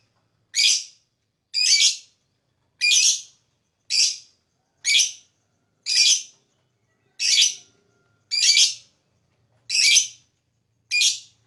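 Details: Ten loud, rasping high chirps from a lovebird, spaced about one per second, with silence between each call; the sound is used to attract other birds.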